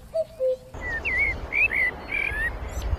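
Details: Bird of the forest: two short low whistles, then a series of thin, wavering, higher whistled phrases over steady rushing background noise.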